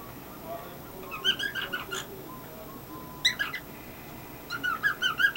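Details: Pet male cockatiel performing a chirp routine indoors: three short bursts of quick warbling chirps and whistles, at the start, middle and end, over a low background hiss.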